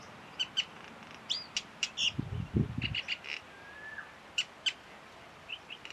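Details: In Kuah, Langkawi, a Common Myna that was seen mimicking at least four other species gives a varied run of sharp chirps, clicks and whistles, including a rising and a falling whistle, with a brief low rumbling burst midway.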